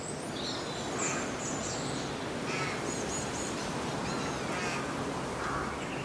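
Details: Rooks at their treetop nests with young in early March, busy flying in with food for the chicks; scattered harsh, hoarse caws stand out over steady rushing background noise, with thin high chirps of small birds.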